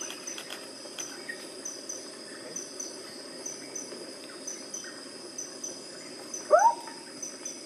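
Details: Sunda frogmouth at Way Kambas, Sumatra, Indonesia, 29 July 2024, giving a single short, rising whistled call near the end over a steady high-pitched drone of night insects.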